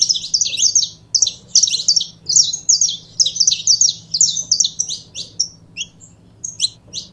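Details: Canário-da-terra, the saffron finch, delivering a long burst of bright, high chirping notes in quick succession that thins toward the end into a few scattered, isolated chips over a steady low background hum.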